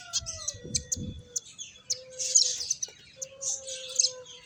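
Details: Finches playing and eating, giving short, high, scattered chirps and twittery bursts from several birds at once, with a faint low drawn-out tonal call and brief low thumps in the background.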